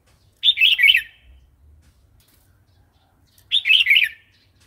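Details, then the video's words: Red-whiskered bulbul 'wild song' for teasing fresh or wild-caught birds and teaching chicks; two rich, rolling phrases of quick slurred whistled notes roughly three seconds apart, separated by quiet with a faint low rumble. "เสียงนกกรงหัวจุก เพลงป่า"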